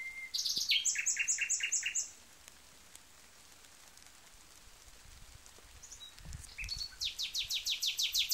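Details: Nightingale song: a fast run of sharp, high repeated notes stepping down into a lower series of about five pulsed notes, a quiet pause of several seconds, then another rapid burst of repeated notes; calm background.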